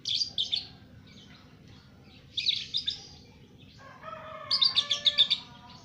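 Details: Young lovebird, two months old, singing: groups of rapid buzzy chirps, then a burst of repeated shrill notes over sustained whistled tones, with quiet pauses between phrases.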